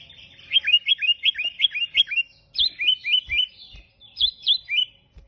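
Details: Energetic sooty-headed bulbul song, an unusual variant used to lure and tutor other bulbuls: a fast run of about ten bright downslurred whistles, then two shorter groups of rising-then-falling chirps, with soft low thumps in the background.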